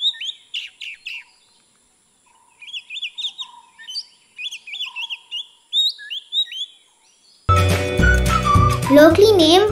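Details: Oriental Magpie-Robin (Copsychus saularis) in Sri Lanka gives clear, sweet whistled phrases of varied short notes, several per second, for about seven seconds before loud music with a voice cuts in.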